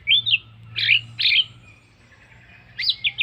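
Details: Orange-headed thrush, sung as a lure for other birds: short bursts of rich, twisting whistles separated by brief pauses, with a faint hum in the background.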